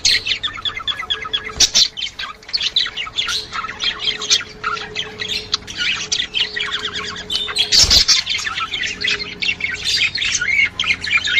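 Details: Budgerigar chatter intended to bring a female into breeding condition: a long, dense stream of warbled chirps and squawks, interrupted by two sharp clicks, over a faint steady hum.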